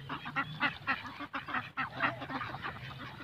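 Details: Ducks at a swimming pool in Pakistan: a rapid series of harsh, nasal quacks, several birds calling over one another in bursts, some honk-like, with a steady low background hum.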